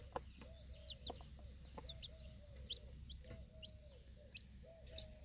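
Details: Broody mother hen standing guard over four young chicks during outdoor feeding time in a backyard flock; soft, drawn-out low clucks repeat roughly every half second, overlaid by many thin, high, falling chick peeps.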